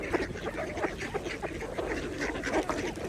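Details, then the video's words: Mallards feeding on a pond: rapid nasal quacks and low chattering notes over continuous water splashing and dabbling sounds. "Ducks Feeding at the Pond | Mallards"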